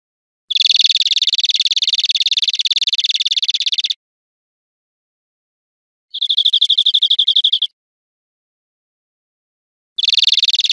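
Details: Greenfinch song from an educational recording of wild birds: a long, harsh, buzzy rattle, then a short clearer trill of quick high notes, then the buzzy rattle again.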